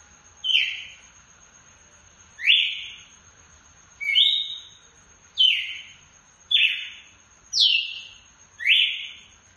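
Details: Red-cowled cardinal giving loud phrases in a style called açoite: seven short, bright, slightly falling whistled notes, each roughly a second apart at an uneven pace. A faint steady high tone runs underneath.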